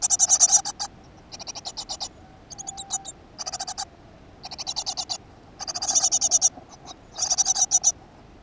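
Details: Recorded 7 June 2015 at a nest box in a school garden, a great tit produces uneven series of rasping, fast-ticking high bursts, some louder, some soft, with short silences between.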